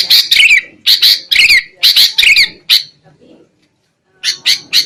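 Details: Sooty-headed bulbul, a lure recording for trapping birds: bursts of harsh, scratchy chatter in quick pairs and triplets, a short pause, then three more rasping notes.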